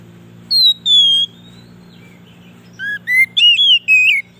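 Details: Song of an Oriental magpie-robin, played to attract wild birds in forest: two long, clear, slightly falling whistles, a pause, then a quick string of bright, rising and wavering whistled notes.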